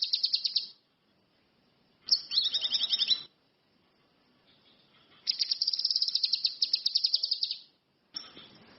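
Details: Song of an orange-headed thrush, high and rapid: short bursts of repeated chipping notes and a buzzy double-pitched trill, then a longer fast rattle of about two seconds, with silent gaps between phrases.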